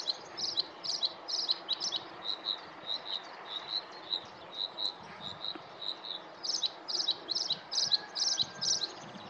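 A Bluethroat sings a fast, high series of repeated ringing notes, loud buzzy bursts framing a softer run of even ticking notes, over a faint background hum.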